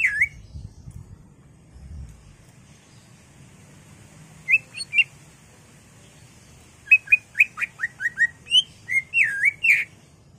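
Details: Caged greater green leafbird singing excitedly as a lure to trigger another bird's song. Scattered whistles open the recording, then a long quiet, then a fast string of looping, up-and-down whistled notes. A low hum runs throughout.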